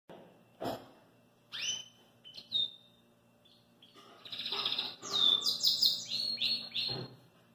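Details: Belgian canary singing outside its cage: scattered short chirps and clicks with low thumps give way to a loud stretch of rapid, buzzy trills and whistled phrases in the second half.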